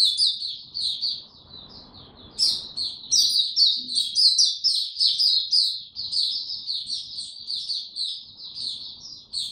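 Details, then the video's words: On 26 March 2022, in warm and very humid weather, a white-eye delivers a long, rambling run of thin, high chirps and trills, rising in volume after a quieter start amid faint background rumble. "Mata Puteh Hercules buka sing warm n very humid weather"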